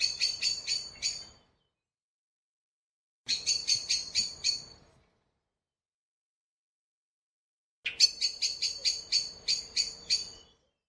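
Great spotted woodpecker giving sharp, high 'kik' notes in quick chattering bursts of about five to eight, three bursts separated by silent pauses.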